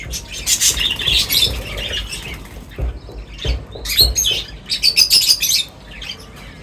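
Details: Various birds gathering for a meal at feeding time, giving a lively stream of high, sharp chirps and squawky notes in overlapping bursts, with soft low thumps and rustling beneath.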